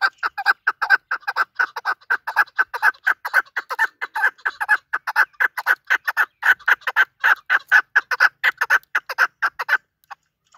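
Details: Hunting chukar partridge delivering a long, steady, rhythmic string of clucking chuk notes, roughly two per second, that carries on for almost ten seconds before stopping.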